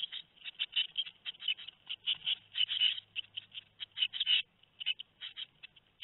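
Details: Two-week-old tit nestlings, Théding, 13 May 2019: a choppy series of thin, high, rasping chirps, louder in the middle, with a faint low hum behind.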